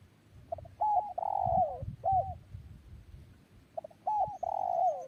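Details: Spotted dove giving two cooing phrases separated by a pause: soft introductory notes, then a clear coo and a long, slightly falling drawn-out coo, with faint low rumbling in the background.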